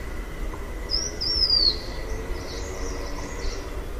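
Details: Blue-winged minla making a brief, thin, high whistled phrase that slurs downward, followed by fainter, softer whistled notes. A steady low rumble and broadband background hiss run throughout.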